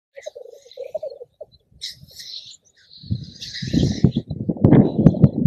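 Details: Black grouse on windswept uplands: a rapid, low bubbling run of notes, then a harsh hissing sneeze, before heavy wind buffeting drowns the second half.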